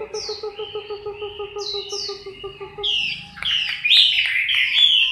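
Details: Chinese hwamei in moult, October 2015. A few high, slurred whistles sound over a steady pulsing hum, then the song builds into loud, fast, twisting phrases.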